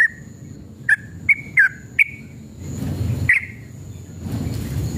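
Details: Male sooty-headed bulbul in an agitated, combative mood giving a handful of spaced, liquid whistled notes that bend downward, separated by pauses, over low background rumble, as a lure to set other bulbuls singing.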